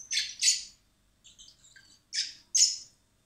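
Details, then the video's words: Common blackbird chicks begging while hand-fed in spring at a rescue centre, before release: loud harsh rasping bursts in pairs, separated by a soft high twittering. "Cebando a los polluelos de mirlo común (Turdus merula)"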